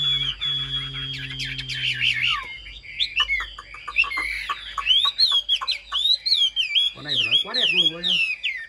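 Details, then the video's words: Caged Chinese hwamei with a polished singing style: after a low droning noise at the start, bright looping whistles and twisting warbles follow rapidly, with a short burst of harsher notes near the end. "Hm 2896 - Bóng bộ đẹp, lông xanh mắt méo, hót tốt bài bản"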